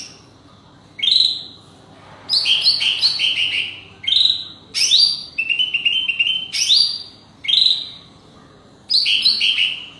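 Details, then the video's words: Leafbird singing against wild forest birds, a string of bright whistled phrases and rapid mimicking trills in short bursts separated by brief pauses, high-pitched and varied throughout. "Hijau Sami blh panggil burung hutan lawan"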